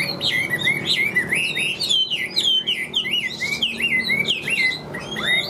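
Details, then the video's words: Chinese hwamei, a caged singer, pours out a fast 'điện đóm' song. Loud whistled notes dip and rise in quick succession, and the rich, continuous phrasing barely breaks. "Họa Mi Hót Như Máy, Điện Đóm Căng Ra Giọng Đều"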